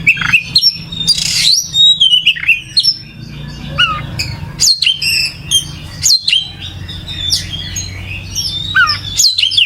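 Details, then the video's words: Oriental magpie-robin (kacer) singing gacor: a long, energetic stream of varied whistles, steep sweeps and rapid chirps, with brief pauses between phrases and a faint low hum beneath. "Suara Burung Kacer Gacor"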